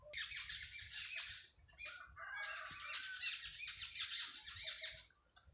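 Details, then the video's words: Softer, more distant early-morning sparrow chorus in a village, rapid overlapping chirps and twitters in two main bursts over faint low background noise. "صبح سویرے گاؤں میں چڑیوں کی چہکار"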